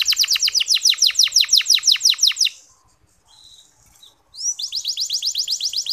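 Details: Clear, long local canary master song meant to excite male canaries into singing: a rapid series of sharp rising chirps, a brief quiet gap with soft notes, then the fast chirping resumes.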